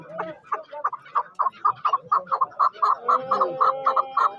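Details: Chukar partridge at the Zarafshon partridge market in Dushanbe, held on Saturdays, 10 February 2024: a fast, steady run of about seventeen sharp chuck notes, roughly four per second, with faint voices behind.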